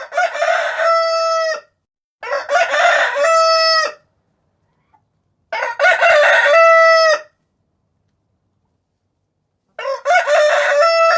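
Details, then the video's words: A rooster crows four times, each a harsh, rising cock-a-doodle-doo about a second and a half long ending on a held, ringing note, with silence between crows. "The sound of a rooster"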